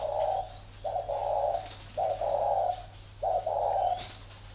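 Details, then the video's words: Fighting thổ spotted dove, caged at a bird farm in Ba Vì, Hanoi, Vietnam; steady rhythm of low raspy coos, each a brief note followed by a longer held one, four phrases in quick succession. "Cu gáy thổ bên phải màn hình các bác nhé"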